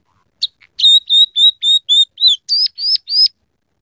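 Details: Vigorously singing scaly-breasted munia with canary, sparrow and red siskin sounds in its repertoire: one chip, then a steady run of high even whistled notes, ending in sharper hooked whistles, about four per second.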